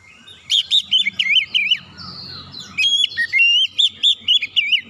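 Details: Oriental magpie-robin song used to provoke other birds into singing: loud bursts of rapid, varied whistled and warbled notes around two to four kilohertz, with a buzzy sweep midway and a short quiet gap before a second burst.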